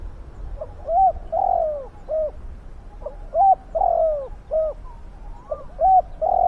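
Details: Decoy spotted dove luring wild doves with forceful, deep cooing. Three-part phrases of short coo, long falling coo and short coo repeat back to back, with soft overlapping coos behind.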